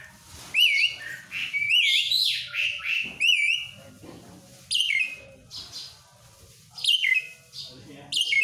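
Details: Asian pied starling singing: loud whistled phrases with wavy, rising notes and bright overtones, mixed with harsh rasping bursts, delivered in bouts about every one to two seconds over a faint low hum.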